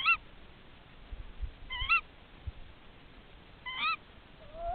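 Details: Tawny owl partners calling to each other at a nest during a nest check: three sharp, harmonic ke-wick calls about two seconds apart, then a faint wavering hoot at the end, over quiet background hiss.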